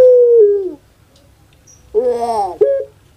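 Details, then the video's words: Kept Pelung turtle dove: the falling tail of a long hoot, a pause, then a rough, throaty gurgle and a short clipped note. "KONSER ANGGUNGAN PUTER PELUNG"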